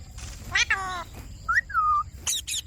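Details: Pet Indian ringneck parakeet presented as a talking bird, making a harmonic, nasal, cat-like wavering sound, then its whistled rising-then-level phrase, followed by two short harsh bursts. Low background hum.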